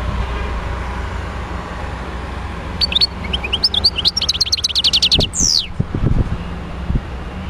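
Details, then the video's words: European goldfinch, a wild bird from Médéa, enters after a few seconds of low background rumble. It gives a rapid burst of chirps and a quick trill, ending in a sharp, descending slurred note, followed by a few low knocks. "تغريد حسون خلوي(المدية)"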